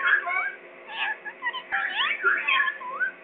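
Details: Parrot from Pakistan uttering a busy stream of short whistled and warbled notes, rising and falling slides packed closely together in a chattering, talkative run.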